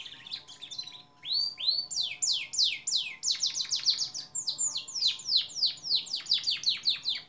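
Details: Long-duration canary training song for songbirds, loud and continuous: a series of rapid downward-sweeping high whistles, repeated about three times a second with brief buzzy rolls between them.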